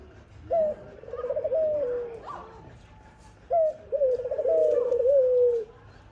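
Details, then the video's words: Dove (khumra) near a mother feeding her young gives two low, soft cooing phrases, each a short note then a longer rolling, quavering coo, about three seconds apart. "khumra birds voice | dove birds sound"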